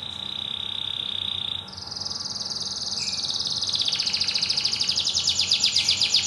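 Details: White canary singing vigorously. A loud, level whistled note holds, then shifts higher and breaks into a fast, rolling trill that grows louder and quickens toward the end.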